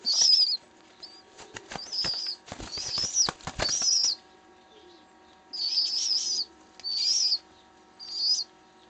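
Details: A rescued baby pigeon with a hooked bill begs for food with shrill, squeaky bursts, each about half a second long, repeated every second or so, with rapid wing-flapping clatter early on.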